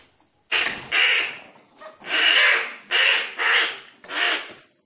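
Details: Young crow fallen from its nest, hungry and being fed by hand before being freed again; a series of five loud hoarse rasping caws, each about half a second, repeated roughly every second.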